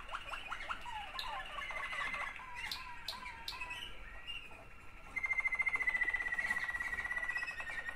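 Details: Waterslager canaries, two siblings, trade tumbling hooked notes and soft rolls before a pause, then a long, loud, even bubbling trill with a thin whistle above.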